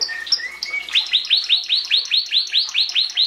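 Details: Belgian canary singing, used to encourage chicks in the 2016 breeding season: a few high whistles, then a fast roll of bright, rising chirped notes repeated about every quarter second.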